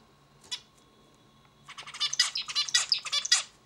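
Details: Zebra finch heard indoors giving one sharp note, then a dense chattering burst of buzzy, scratchy syllables rising in loudness, over a faint electrical hum.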